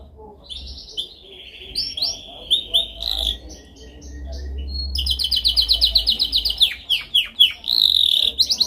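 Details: Canary song for training: soft varied chirps and a steady whistled tone, rising into loud fast repeated trills and rolling pulses in the second half, over faint low hum.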